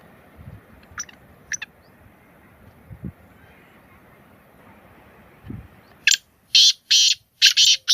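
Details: After several seconds of soft background hiss and scattered faint notes, a black francolin bursts into a rapid series of five grating, buzzy notes.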